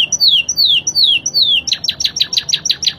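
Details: Spanish Timbrado canary, crystal-clear tutor voice, gives slow descending slurred whistles four times, then switches to a quick run of short sharp chips.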